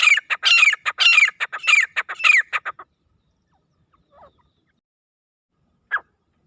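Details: Grey francolin (desi teetar) recorded calling in jungle; a loud burst of rapid, ringing, harsh notes repeated almost twice a second for about three seconds. Silence follows, broken by a faint note and one short clipped call.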